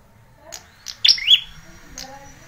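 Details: Bar-winged prinia in a lure and tutoring recording for young red-headed birds: a single bright, high chirped phrase with a quick sharp note followed by a rising buzzy sweep, with soft clicks around it.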